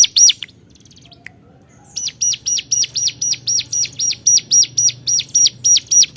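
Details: Hill prinia calling rivals, a brief chirp and short pause followed by a fast, steady series of sharp high notes repeated about four times per second, each a quick up-down sweep, over a quiet low background hum.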